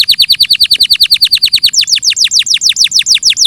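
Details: Fast repeated descending chirps from a canary, a steady trill that steps up in pitch halfway through and continues with quick, slurred downward notes; clear sound, nothing else audible.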